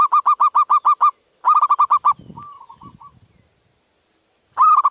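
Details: A lively local zebra dove calls in answer to others, its calls meant to set any listening dove calling too. Two loud runs of about seven rapid, even coos, a soft distant reply, then another burst begins.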